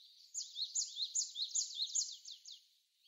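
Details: A Japanese tit sings a bright, high two-note phrase, repeated quickly about seven times in under three seconds, during windy snowfall in Korea on 16 February 2020.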